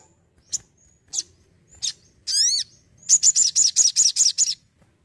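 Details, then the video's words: Crimson sunbird giving spaced single high chips, a rich descending whistled flourish, then an energetic, fast burst of about nine piercing, evenly repeated chirps. "SOGON ISTIMEWA YANG ENERGIK"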